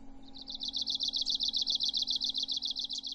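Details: Arctic warbler song: a fast, dry, even trill of rapid buzzy notes, about 220 per minute, held high and steady for three seconds, with a low steady hum underneath.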